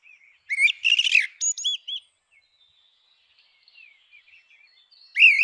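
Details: A grey-winged blackbird sings a scratchy, jumbled phrase followed by looping high whistles, a quiet stretch with faint distant notes, then a loud rising whistle at the end.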